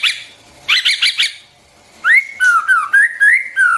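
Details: White-rumped shama song meant for tutoring young birds: a burst of chattering notes, a pause, then a rich, fluid whistled run of slurred rising and falling notes.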